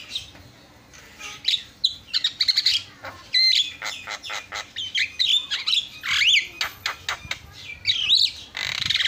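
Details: Lively Javan mynas calling back and forth on a masteran (songbird training recording): a quiet opening, then rapid scratchy chatter mixed with clear rising and falling whistled notes and harsh squeals to the end.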